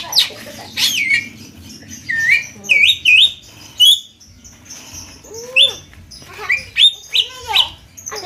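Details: Javan myna 'konslet gacor' song: varied, abrupt whistles, sliding downward and upward, scattered irregularly over low background murmur.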